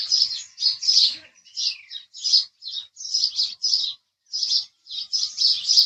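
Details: Rhythmic house sparrow chirps, evenly spaced single and double notes, one with a quick downward slur, continuing after a brief pause.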